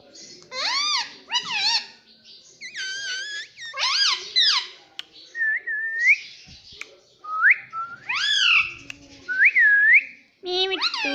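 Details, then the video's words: Indian ringneck parakeet kept as a talking pet, saying "Mitthu Mitthu": harsh speech-like phrases mixed with clear rising whistles. These are sometimes slurred upward, in bursts separated by short gaps. "Mitthu Mitthu Bolne Wala Batuni Tota - Talking Parrot"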